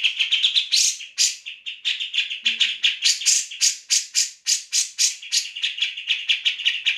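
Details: Grey-cheeked bulbul song meant for schooling magpie robins and other cage birds: rapid, coarse rattling notes pouring out almost without pause, some louder rasping bursts mixed in.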